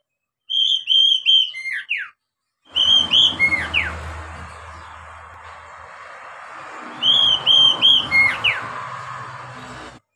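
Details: Captive-training song of an Oriental magpie-robin, two phrases of repeated clear whistles followed by steep downslurs, separated by several seconds of hissy background with a low droning hum.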